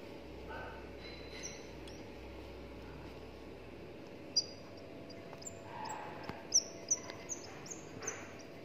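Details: A 17-day-old albino red-whiskered bulbul chick, hand-raised since hatching, gives thin, high chirps, faint at first, then quicker and sharper, several in a row, over a low steady hum.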